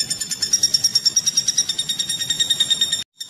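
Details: Woodpecker used as a training recording for songbirds, producing a rapid run of bright, piercing notes at an even tempo for about three seconds, ending abruptly in silence.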